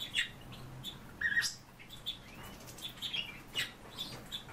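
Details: A pair of Eurasian bullfinches: short soft whistled notes near the middle and several brief chirps scattered through the clip, with faint clicking and rustling between calls.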